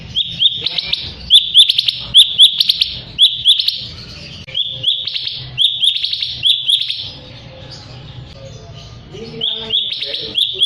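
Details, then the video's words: Lure recording of a sooty-headed bulbul singing to draw rival birds into song: rapid repeated high chirps in bursts, a quieter mixed stretch midway, then the chirping resumes strongly. "pacingan suara burung Cucak Cungkok Ampuh bikin Lawan langsung ikut buNyi"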